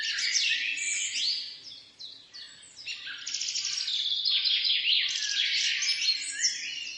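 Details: Several wild birds singing in a forest in the morning, beside a road: a dense, continuous chorus of high, varied chirps and twittering trills that dips briefly near the two-second mark and then resumes.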